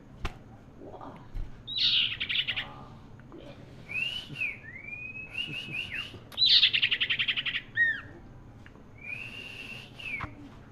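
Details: Common iora in gacor cetrekan singing: loud buzzy rattling bursts alternating with clear whistled slurs and level notes, delivered in irregular phrases, with faint background hum.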